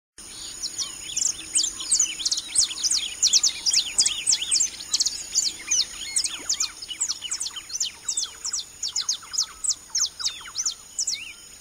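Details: Saffron finches in an urban park, Fernando Peñalver Park in Carabobo, Venezuela, chatter in a dense run of sharp, high chirps and short slurred notes, several voices overlapping, over a steady thin insect-like hiss.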